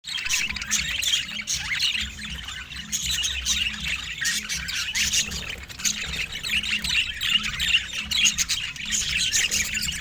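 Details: Pet budgerigar, described as very dramatic, giving a continuous, dense, high-pitched chattering warble of quick chirps and squeaks throughout, over a steady low pulsing hum in the background.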